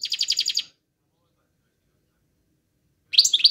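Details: European goldfinch singing: a rapid burst of high, tinkling twittered notes for under a second, then a long silence, and another bright chattering phrase starting near the end.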